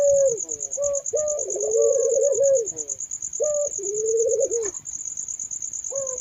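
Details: Puter dove giving repeated low, wavering coos, a short note then a longer trilling phrase, about every two seconds, with a constant shrill buzzing tone in the background.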